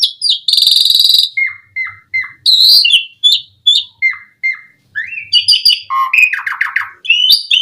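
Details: Asian pied starling singing, used to draw other starlings into song: a harsh buzzy burst, then short downslurred whistles repeated about every half second, followed by dense chattering and mixed whistled phrases.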